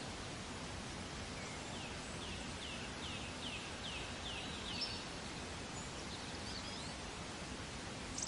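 A chipping sparrow gives a quick series of about nine thin, high, downslurred chips, roughly three per second, over a steady rushing hiss.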